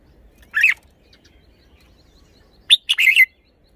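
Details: Red-whiskered bulbul singing: a brief, buzzy warble, then after two seconds a fuller phrase of a sharp note, a chirp and a falling, bubbly trill.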